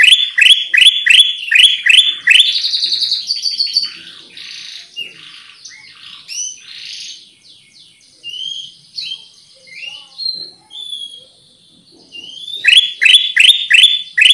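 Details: Black-crested Bulbul (Pycnonotus melanicterus) used to lure birds: rapid loud chips open, give way to quieter varied whistles and slurred notes, and the chip series returns near the end.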